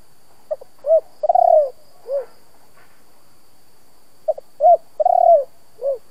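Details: Spotted dove in the 'kích bổi' style, a Vietnamese local-voice ('giọng thổ') cooing used to stir decoy doves to call. Two phrases about three seconds apart, each a brief note, a hollow coo, a longer rolling coo, then a falling final coo.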